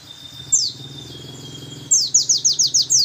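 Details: A white-eye sings in a monotonous, single-song trilling style: a high thin whistle, then a quick run of seven sharp descending chirps at about three per second, over a low background hum.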